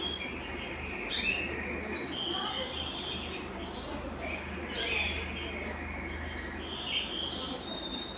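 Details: Singing Belgian canary, song meant to stimulate singing and prepare females for breeding: high whistled phrases and trills punctuated by sharp rising flourishes every few seconds, with low hum and hiss.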